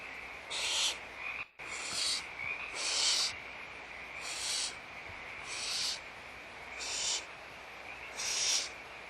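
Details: Seven rasping, hiss-like screeches at intervals of about a second and a half from barn owls in the nest during feeding time, Audubon Starr Ranch Sanctuary, 16 March 2011, morning; one brief dropout near the start.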